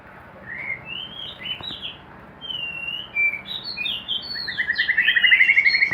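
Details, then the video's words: Caged white-rumped shama kept in a hanging cage, singing a varied run of whistled, sliding phrases, then a fast rattling trill of repeated notes building louder toward the end. "burung murai batu di sangkar gantung"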